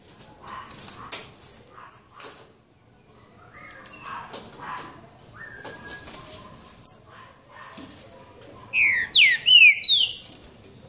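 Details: Green-winged saltators in a singing contest trade loud, clear whistled phrases that end in a rapid burst of bright rising notes, with scattered clicks and rustling between phrases.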